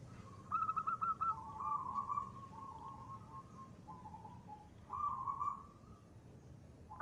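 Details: Local zebra dove singing in the lively ngristal style used as a lure: a short burst of stuttered notes, then a long, slightly wavering trilled coo, with another trill about four seconds later over a low background rumble.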